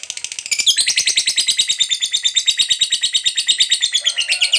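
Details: Fighter lovebird in long ngekek chatter, used as a lure to set other lovebirds singing: a brief quieter stutter, then a loud nonstop rattle of piercing, buzzy notes at a quick, steady pace.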